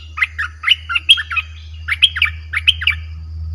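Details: Streak-eared bulbul song, aggressive in tone, for luring wild birds: lively chattering phrases of quick up-and-down whistled notes over a steady low hum running throughout.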